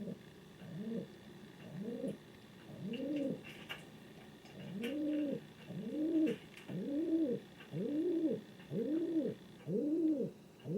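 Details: Domestic king pigeon cooing repeatedly: about ten soft, hollow, arched notes, a short gap near the fourth second, then a steady run of roughly one coo per second with light background clicks.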